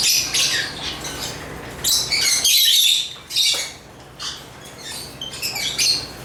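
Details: Agapornis lovebirds chirping: harsh, high squeaky notes in overlapping bursts, loudest in the middle, then quieter intermittent chirps toward the end.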